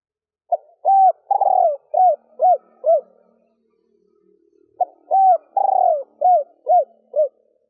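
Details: Female spotted dove cooing to excite males, in a stuttering three-ending style. Two low phrases: clipped opening notes, a long trembling coo sliding down, then three arched hoots. A faint low hum runs between the phrases.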